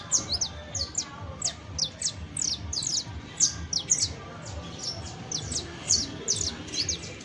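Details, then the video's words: Long run of saffron finch song, a canario criollo: rhythmic high chirps falling in pitch, paired and tripled, continuing steadily with little variation above soft background rumble. "CANTO DE CANARIO CRIOLLO EJEMPLAR [SICALIS FLAVEOLA]"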